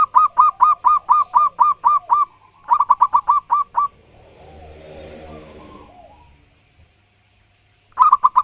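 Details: Local wild zebra dove singing loudly and strongly: two rapid runs of short, hooked coos about four per second, then a few seconds of soft rustling and near silence before the cooing starts again.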